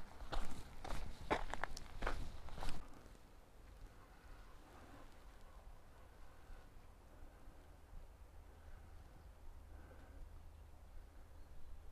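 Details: A few crunching footsteps on gravel for the first three seconds, then quiet outdoor ambience with a low background rumble and no animal calls.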